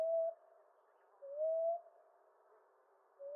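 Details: Low, gentle rising coos of a common ground dove, spaced irregularly, with one full coo between partial notes at the start and end, in a quiet background.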